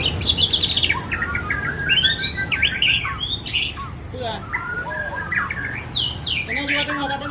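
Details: Aceh-type white-rumped shama singing fast, bright chattering and whistled phrases, dense and energetic, with slurred downward notes, over constant low background noise.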